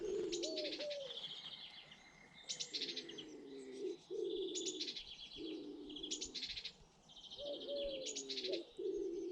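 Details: British garden birds: drawn-out low cooing notes alternate with bursts of bright, high chirping and trilling song, the two sounds overlapping and trading off through the recording.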